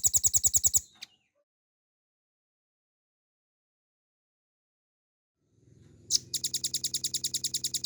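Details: Caged velvet-fronted nuthatch in full ngebren style with long delivery, recorded to tutor other songbirds: a brief rapid high trill, a long pause, a sharp note, then a steady fast run of repeated chips.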